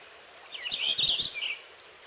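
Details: A short Purple finch song phrase, a quick tumbling warble of bright whistled notes lasting about a second, with light background noise.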